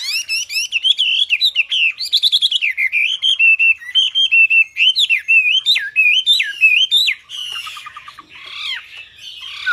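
A red-billed blue magpie sings a lively, nonstop run of varied whistles, rising and falling notes, and harsh chattering phrases, mostly high-pitched.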